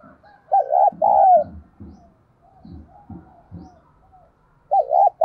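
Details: Caged decoy spotted dove giving urging and calling coos to stimulate other doves. Two short bursts of mid-pitched, wavering coo notes, the first followed by a series of low, dull thumps roughly every half second.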